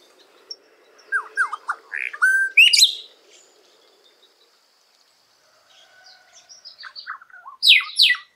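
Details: Golden-winged cacique song in nature, Paraná, Brazil: a quick string of liquid downslurred whistles and harsh squawks, a pause with faint chirps, then more rising notes ending in two loud raspy bursts, over a low background hum.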